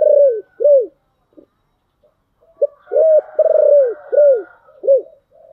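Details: Spotted dove singing in the thổ voice style: low, mellow coos in short arched notes, a pair, then a pause, then a longer run of rolling coos, with faint background hum.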